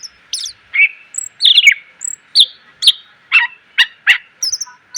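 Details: Greater green leafbird song meant for training cage birds: downslurred whistles give way to a steady string of harsh chattering notes, one roughly every half second, with thin high tones overhead.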